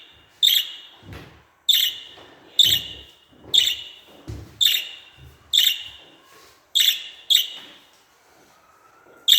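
A budgerigar gives sharp, bright chirping calls about once a second, each ending in a short buzzy trill, with soft low thumps between some calls.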